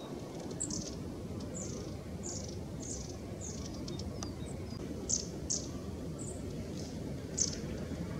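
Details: Long-tailed tits, from footage gathered in autumn and winter: thin, very high short calls, each slightly falling, repeated about every half to one second, around ten in all, over a steady low background rumble.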